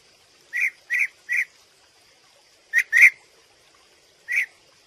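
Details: European bee-eater calling in a run of three quick purring notes, then a gap and a tighter pair, then one final note, with a thin constant high tone in the background.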